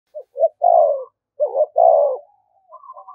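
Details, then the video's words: Spotted dove used as a decoy, cooing continuously to provoke fighting: short low notes then long descending hoarse coos, two phrases in quick succession, with faint trailing coos after. "Tiếng chim cu gáy mồi thúc đấu rút bổi liên tục, chim cu đất thúc đấu"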